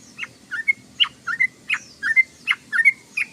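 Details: Sooty-headed bulbul in ngoceh, ngeriwik chatter: paired notes, a sharp downslurred chip followed by a short rising whistle, repeated in quick succession roughly every half second.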